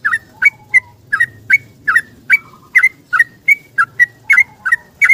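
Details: Yellow-vented bulbul singing in the morning in search of a companion, used to prompt stressed bulbuls to sing. Regular whistled chirps, around three per second, switching between two pitches, with faint low rumble beneath.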